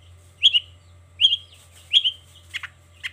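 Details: Long-tailed shrike giving a 'toet toet' phrase in the morning: three short, sharp, downslurred double notes, followed by two softer, fainter notes.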